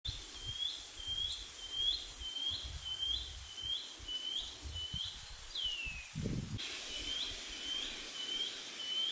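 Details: A shining cuckoo (pīpīwharauroa), the first heard that spring on a New Zealand farm on 28 September, gives a quick series of high, upslurred whistles, about two a second, broken by one long falling note, over a low background rumble.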